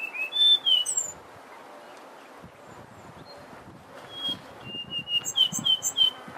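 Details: Whistled song of a Brown scrub robin: a sweet slurred phrase, a quiet pause, then a longer run of quick whistles ending in thin, high twittering notes.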